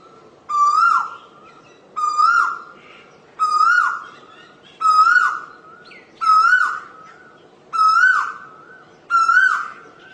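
An Asian koel gives seven loud, rising whistled notes, one about every one and a half seconds, over a soft background hiss.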